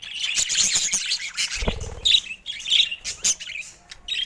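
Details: Colourful captive budgerigars chirp and warble in quick scratchy phrases with short whistled notes; a low thump sounds midway.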